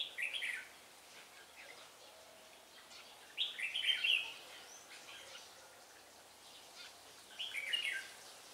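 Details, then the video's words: Red-whiskered bulbul acting as a trapping decoy, Vietnam, December 2016; three separate bursts of lively, warbling notes spaced roughly three to four seconds apart, each phrase short and bright, over faint rustling ambience. "Bẫy chào mào Ba Thá mau mỏ đảo giọng"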